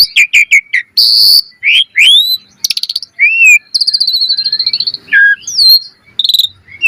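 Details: Full-variation song of an Asian pied starling in vigorous form, used to prompt training: rapid chirps, rising and falling whistles, buzzy trills and a long wavering high whistle.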